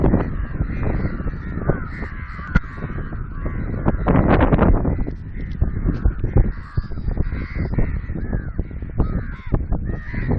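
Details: A group of crows near Sindhrot check dam gives overlapping harsh, nasal caws in irregular bursts throughout, over strong low rumbling wind noise and scattered clicks.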